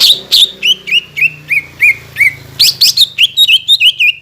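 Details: Fast series of clear whistled notes from a greater green leafbird, used to coax raw and group-housed leafbirds to sing, each note slurring downward, tumbling in quick succession over a low background hum.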